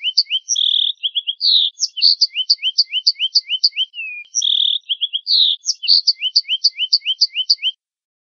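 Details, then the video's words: A finch sings a high, bright phrase of quick upslurred chips, buzzy notes and short trills, repeated twice over eight seconds, with nothing else heard. "Suara Burung Finch"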